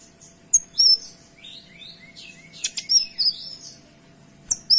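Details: Kinoy, a bird sung for tutoring other songbirds, delivering clear, dense song: sharp high whistled notes and slurred upward and downward phrases, with a brief harsh rasp near the middle and another at the end.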